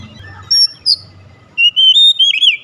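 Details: Oriental magpie-robin in luring song aimed at setting caged birds singing: two brief high whistles, a pause, then a run of wavering, warbled whistles that rise and fall in quick succession.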